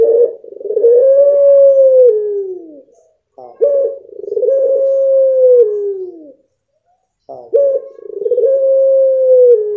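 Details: A blorok pelung dove repeats its long coo three times, roughly every three and a half seconds: stuttered onset, level drawn-out middle, and a downward-sliding finish.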